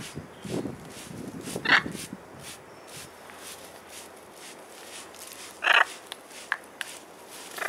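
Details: Two 21-year-old pet blue-and-gold macaws outdoors in London on a sunny spring day, 24 April 2021, enjoying a spray bottle shower; two short harsh squawks several seconds apart among soft hissing spray bursts.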